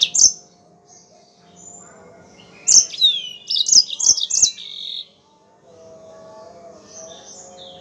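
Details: Yellow-fronted canary singing for a bird-training recording: a single sharp chirp, then after a pause a cluster of rapid high chirps and slurred notes lasting about two seconds, followed by faint background twittering.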